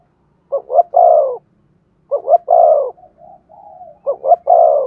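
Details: Spotted dove giving coos to stimulate singing; three evenly spaced phrases of quick double rising notes and a long sliding coo, soft murmuring coos between, a faint low hum underneath.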